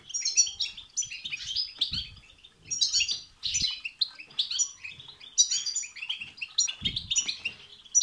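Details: Intense goldfinch batbata and satsata twittering used to excite a goldfinch into singing; bursts of rapid jingling high chirps and trills in waves, separated by short lulls, with occasional low knocks.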